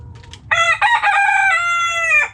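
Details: Rooster in a backyard flock crows loudly: a few faint soft notes, then a long, ringing, multi-part crow with clear harmonics, held level and cut off after nearly two seconds.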